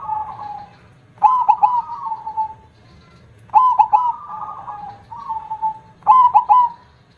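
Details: Zebra dove, a prized perkutut with a large voice, sings three phrases, each opening with rapid clipped notes and ending in a drawn-out trilling coo, separated by about two seconds of quiet.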